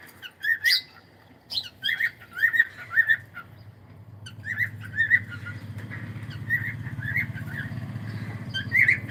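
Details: Pet cockatiel calling: a series of short whistled chirps near the same pitch, in clusters with brief gaps, over a low steady hum in the second half.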